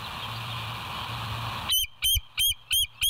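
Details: West End bald eagle, recorded by live nest camera on 07/09/2023 at 06:24: hum and hiss, then five loud, high, clipped piping notes spaced about a third of a second apart.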